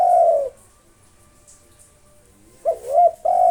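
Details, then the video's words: Local spotted dove singing to provoke rivals: the tail of one long low coo, a two-second pause, then a new phrase of short note, arched coo and steady held coo. "SUARA BURUNG TEKUKUR LOKAL NAFAS PANJANG GACOR NONSTOP MANGGUNG 7 MENIT COCOK UNTUK MANGGIL LAWAN"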